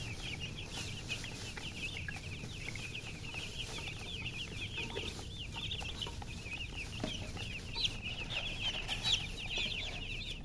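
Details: Many baby chicks chirping together, short high downslurred peeps tumbling over each other nonstop, with faint clicks and a hissing background.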